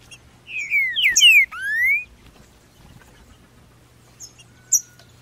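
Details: Green-winged saltator brought into the bush for song training after moult, May 2019: a quick burst of rich whistles, first falling slurs and then one long rising note, with faint high chips from other birds afterward.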